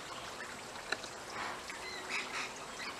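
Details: Flock of Rainbow Lorikeets helping themselves to seed pods of Chinese Lantern trees in a backyard, giving continuous harsh, raspy chatter broken by short screechy notes.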